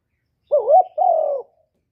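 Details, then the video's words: Spotted dove 'gáy gọi' call: one two-part coo. A throaty rising and wobbling first note is followed at once by a drawn-out, level second note. Quiet, noise-free surroundings. "tiếng cu gáy giọng thổ thúc và gáy gọi"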